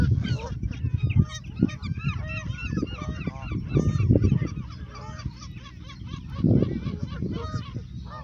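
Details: Canada geese at Westbroekpark in Scheveningen, The Hague, Netherlands, a park with waterfowl: many overlapping nasal honks with rich harmonics, delivered in quick bursts throughout, over a steady low background rumble.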